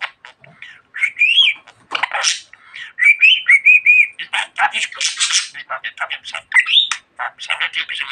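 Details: Pet budgie that talks a lot, pouring out a mixed warble of rising whistles, buzzy bursts and hissy speech-like syllables in long, almost unbroken phrases.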